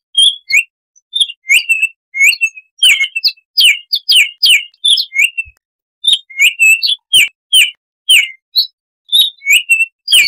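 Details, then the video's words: Baltimore oriole singing wild-sounding 'tembakan' bursts, used as a song tutor for kept birds: short clear whistled notes, many slurring downward, given in quick clusters separated by brief pauses, with no other sounds. "Suara Tembakan Unik Burung "Baltimore Oriole""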